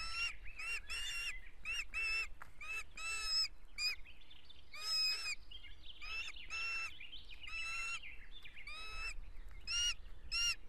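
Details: Ospreys at an Estonian nest on 17 June 2017, one-week-old chicks battling for dominance: harsh, grating calls in irregular rasping bursts, some with a squealing edge, over steady low background noise.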